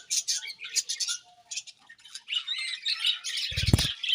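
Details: Several pet budgerigars chirping during morning feeding: dense, high, scratchy chatter in bursts, with a short low thump near the end.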